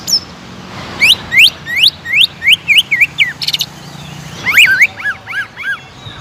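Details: Provoking song of a caged greater green leafbird, a run of rising upslurred whistles about three per second, a brief harsh buzz, then a cluster of shorter arched notes.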